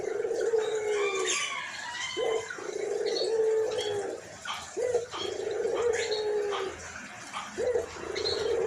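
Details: White (albino) collared dove kept as a pet, calling busily in a hoarse, raspy voice; low, drawn-out coos repeated about every two seconds with short breaks, while small birds chirp faintly in the background.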